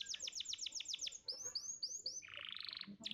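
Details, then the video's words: Canary training song from a contest champion, used to get young canaries singing and warbling: quick descending chirps, then a run of high swept whistles and a harsh buzzing roll. "Pancingan Kenari Muda Cepat Bunyi & Ngeriwik – Masteran Kenari Juara Gantangan"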